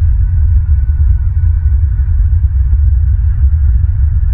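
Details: Only a loud, steady low rumble and electrical hum are heard, with a faint throbbing pulse and no animal sounds.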